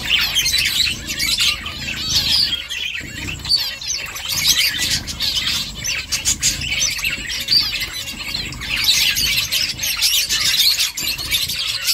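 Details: Finches chirping while making a nest: a dense, continuous chatter of high, overlapping tweets and short twittering notes from several birds, rising and falling in bursts throughout, with faint low rumbling underneath.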